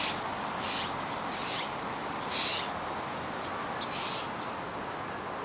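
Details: Juvenile azure-winged magpie at Kiba Park on 17 July 2019: a series of short, harsh, raspy calls, about five bursts spread over several seconds, over a steady hiss of background noise.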